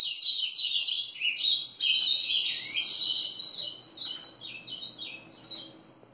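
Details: Grego ferradura song of a double-collared seedeater: fast, scratchy twittering phrases with bright whistled accents, gradually fading out over six seconds.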